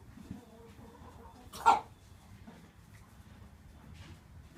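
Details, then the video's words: Free-range buff Brahma hen, aged three, makes one short, hoarse bark-like cough early on, then only quiet low background rustle follows. "Buff Brahma chicken making strange sounds"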